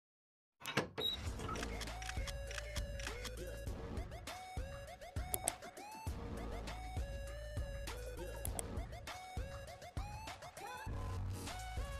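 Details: Music fills the recording, with deep bass, clicking percussion and melodic tones and no clear animal voice.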